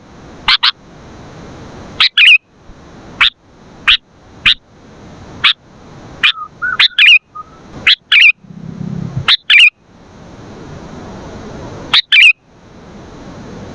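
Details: Vigorously singing sooty-headed bulbul, for luring and training other birds: crisp, high chirps spaced roughly a second apart, several followed by a short burbling twist, with a brief low rumble near eight seconds.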